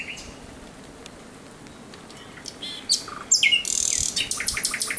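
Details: Thrush nightingale singing at night on 17 May 2023: quiet start, then from about three seconds loud high whistled notes and dense repeated chirping phrases.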